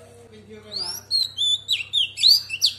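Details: A female Oriental magpie-robin, kept to stimulate singing, gives a wild-type song: a run of clear, varied whistles, with sweeping up-and-down notes and quick chirps repeated several times a second, over a low hum.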